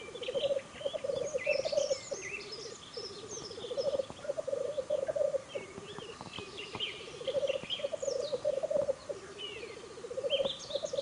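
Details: Black grouse displaying at a spring lek in the Ammergau Alps, May 2015: continuous low bubbling, cooing rolls swelling in phrases every two to three seconds, with scattered high chirps and twitters from other birds above.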